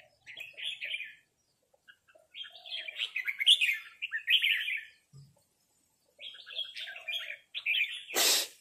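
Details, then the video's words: Red-whiskered bulbuls answering each other with rik calls during a territorial confrontation with a local resident: separate chattering phrases of slurred chirps split by short silences, ending in a sharp noisy burst. "นกกรงหัวจุกร้องริกตอบโต้กันมันๆ โดนนกเจ้าถิ่นรับน้องจัดหนัก"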